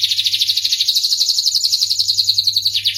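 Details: Dense, fast rolling trill from a starblue canary, high repeated notes run together in one unbroken melodious stream; faint hum below.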